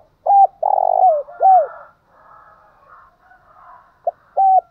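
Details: Spotted dove's provoking call: a short flat coo, a long buzzing purr and a dipping arched note, followed by quiet distant cooing and then a clipped coo and another flat coo.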